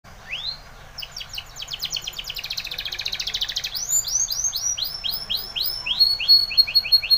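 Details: Spanish Timbrado canary song for training: rapid trills of repeated rising notes high in pitch, a dense buzzy rattle, then a run of descending swept notes at about four per second.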